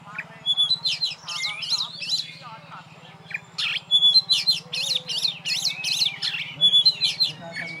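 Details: Lone caged champion oriental magpie-robin pours out quick runs of high whistled loops and scratchy trills, interspersed with pure steady whistles, over a constant low hum throughout.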